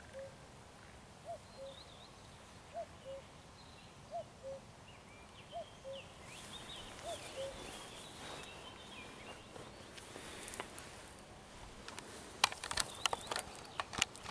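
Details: Common Cuckoo calling on 11.06.2023, repeating its low two-note cu-coo, the second note slightly lower, about every one and a half seconds, alongside blackcap and common redstart song; loud handling clicks and knocks toward the end.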